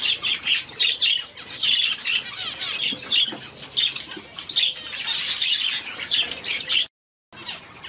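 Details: Very young Society finch chick hand-fed from day one: sharp, high begging chirps repeated in quick bursts, continuous until a brief silent gap near the end.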